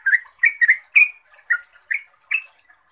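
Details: A vocal yellow-vented bulbul gives its lure song in the ropel style: separate bubbly, rising and falling chirps, some doubled, spaced roughly every third to half second.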